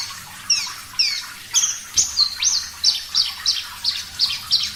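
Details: Javan bush lark (parva), a clear-voiced singer on a bird-training recording: a few spaced, thin downslurred whistles, then a burst of quick, high, rising chirps repeated several times a second.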